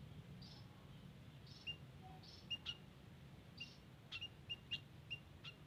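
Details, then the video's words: White-headed munia in a garden, a recording meant to lure birds: soft, short, high chips repeated at uneven intervals, some in pairs, faint against a constant low rumble. "Suara Asli Emprit Kaji di Kebun"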